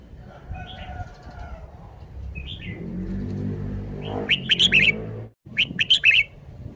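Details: Caged red-whiskered bulbul showing its song phrasing: a few soft notes over low rumbling background noise, then two loud bursts of quick, bright chirps separated by a brief silence.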